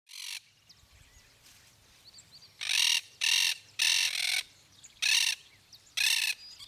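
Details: Yellow-headed caracara (chimachima) in Gualeguaychú, Entre Ríos, Argentina: harsh, hoarse screeches, each about half a second, repeated irregularly about once a second after a short opening note, with quiet background between.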